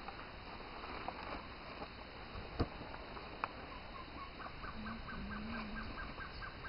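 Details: Gartered trogon (Trogon caligatus) singing in forest near Torti, Panama: a quick run of about ten soft, even cow notes in the second half, over background hiss, a low hum and a few handling clicks.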